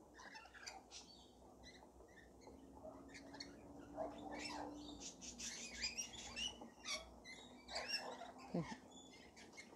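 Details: Rainbow lorikeets being fed, squabbling in a feeding frenzy: a constant mass of piercing screeches and scratchy squawks, overlapping densely, over a faint steady hum.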